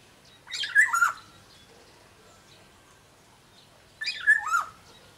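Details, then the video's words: Black-naped oriole, Sumbawa type, a kept songbird: two matching raspy, nasal calls about three and a half seconds apart, each falling in pitch, with silence between. "suara burung kepodang sumbawa GACOR DOR"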